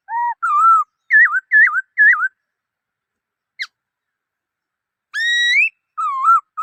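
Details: Black-throated laughingthrush giving wavering whistled notes, a lone thin upward flick, and then a long, rising, sustained whistle before more wavering notes, with quiet gaps between phrases.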